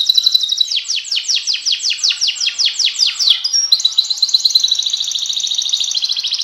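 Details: A canary sings a fast, rhythmic trill of down-slurred chirps, then switches to a continuous high, twittering roll, loud and steady throughout.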